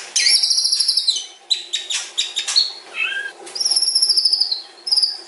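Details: White-rumped shama (murai batu) delivering a long, varied song: bright whistled phrases high in pitch, rapid stuttering notes and clear slurred whistles in quick succession, with short pauses between bursts.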